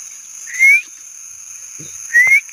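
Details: Philippine hanging parrot (kulasisi), said to be endangered: two short, shrill, rising notes about one and a half seconds apart, over a steady high-pitched hum.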